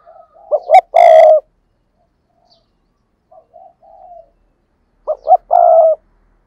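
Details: Caged decoy spotted dove delivering a repeated three-part coo: two brief notes and one drawn-out loud coo, given twice about four seconds apart, with faint soft coos between.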